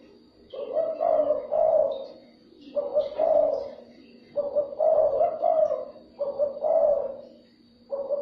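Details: Calls of a spotted dove played to lure and stir up other doves: a run of about five low, soft coo phrases, each with a clipped first note and a longer rolling ending, at an even pace.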